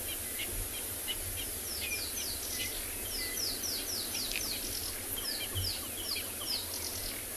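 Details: On a 3 January sunrise game drive in Tswalu Kalahari Reserve, South Africa, a Rattling Cisticola gives bursts of quick, dry, high chattering notes, each falling slightly in pitch, over a steady background hiss.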